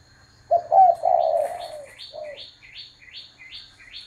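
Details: Spotted dove giving low, hollow coos in a short run of rolling notes, followed by a series of thin, high, upward-flicked chirps repeated about every half second from another bird.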